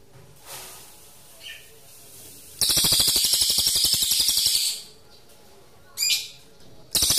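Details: High, fast rattling trill from a pygmy bushtit singing strongly as a song tutor for magpie-robins. About two seconds of rapid pulsed notes, then quiet, a brief sharp high burst, and the trill starting again at the end.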